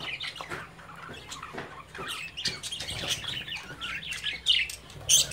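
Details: Caged budgerigar chicks playing while their parents watch; soft, scattered chirps and short warbled notes, fairly quiet and irregular, with light scratching and rustling in the cage.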